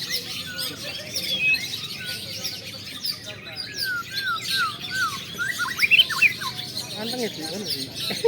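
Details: Long-tailed shrike at a practice singing contest, being trained as a champion; loud varied whistled phrases with rising and falling slurs, sharp high notes near the end, amid a busy chorus of other caged birds.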